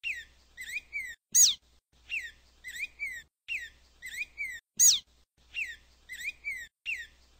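Black-throated grosbeak singing short, clear whistled phrases of falling and rising notes, repeated steadily, with two sharper, louder notes standing out.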